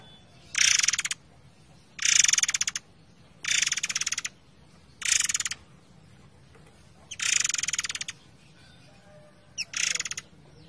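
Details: Forktail song set against flowing water: six harsh, buzzy rattling bursts, each under a second long, recurring roughly every one and a half to two seconds, with a steady low rush of water underneath.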